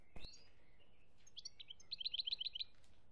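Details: European goldfinch from Algeria, recorded in 2017, singing a brief phrase: a few scattered high notes, then a fast run of about eight bright, evenly repeated twittering notes near the end, after a sharp click at the start.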